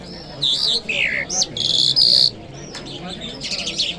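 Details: Lark singing in Kabul city on a Friday morning: bright high warbled phrases and fluttering trills, a rapid burst then a rising slurred note, pauses between short strophes, faint background hum.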